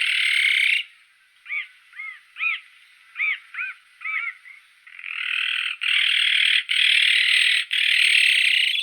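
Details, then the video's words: Azure-winged magpie: a harsh rasp, then a quick series of short, rising-falling nasal notes, then a run of loud, buzzy, broken rasps. "Как поёт Сорока голубая (Cyanopica cyana)"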